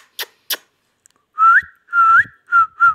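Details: Captive ringneck parrot talking, described as a Pakistani talking parrot: a few sharp clicks, then four clear whistled syllables, each rising or wavering, with faint background noise.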